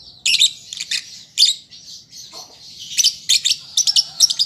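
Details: Juvenile lovebird practising its song, giving piercing high chirps and rasping squeaks in uneven bursts, with a quieter buzzy stretch in the middle before fast clustered notes resume.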